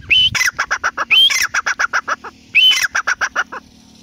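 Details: ['Teetar, the grey francolin, calling in quick succession: each phrase opens with a strained rising note and breaks into a string of evenly spaced short harsh notes, three phrases within four seconds.']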